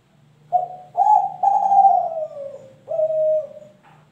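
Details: Three-month-old spotted dove of Kelantan stock from champion parents, cooing a full phrase: a short opener, two long low notes easing downward, then a level closing coo and a faint soft note.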